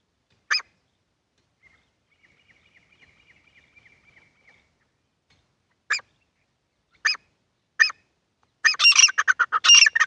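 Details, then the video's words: Partridge calls, wild and hunter's birds, male and female: an isolated harsh note, a soft thin trill, three more spaced harsh notes, then a sudden loud burst of rapid raucous calling. "Jangali Titar ki awaz and shekare titar ki awaz and female ki awaz"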